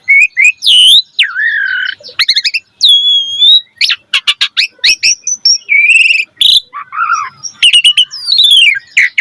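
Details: Asian pied starling (jalak suren) singing a varied training song: whistled rising and falling notes, harsh chattering bursts and buzzy slurs, delivered rapidly in loud phrases with short pauses.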